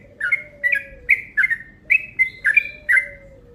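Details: Yellow-vented bulbul calling in a long, rapid lure sequence: about eight sharp chirped notes in steady succession, each with a quick downward slur, and a soft, low, descending tone drawn out beneath.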